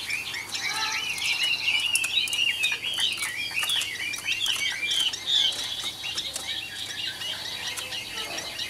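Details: Caged Chinese hwamei, an old wild-caught bird with a good voice, sings a dense, rapid stream of slurred whistles and chattering notes at moderate volume, with clicking sounds throughout.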